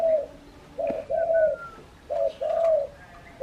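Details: Spotted dove, very vocal, outside its cage, giving low mellow coos in paired phrases, a short note then a longer drawn-out one, repeated roughly every second and a half. A faint thin whistle from another bird is heard in the background.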